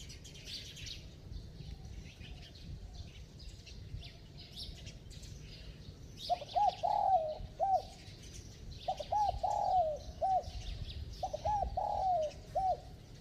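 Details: Spotted dove cooing in its bell-like voice. About six seconds of only background hiss and distant chirps, then three repeated phrases of short hoots, a long falling coo and a closing note.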